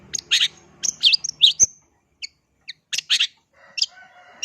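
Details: Cendet, the long-tailed shrike, singing: harsh buzzy bursts and quick whistled notes, then a pause and more scratchy phrases, with faint warbling in the background.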